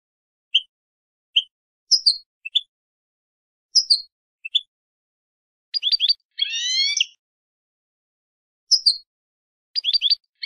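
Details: Song of a European goldfinch for tutoring young birds: scattered high chirps and tinkling two-part notes, quick clipped note bursts, and one buzzy, ringing phrase near the middle, with quiet gaps between.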